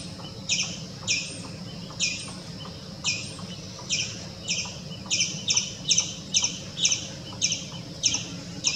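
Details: White-breasted Waterhen (Amaurornis phoenicurus) calling at a swimming pool, where it came to eat water scorpions: harsh squawking notes about twice a second, quickening toward the end, over a steady low hum.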